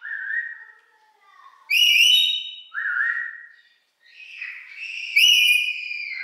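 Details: Pet rainbow lorikeet that asks its owner what he was doing when he leaves: bright whistled harmonic syllables near mid-pitch, some rising and falling, in short talking-like phrases separated by brief pauses, in a quiet indoor space.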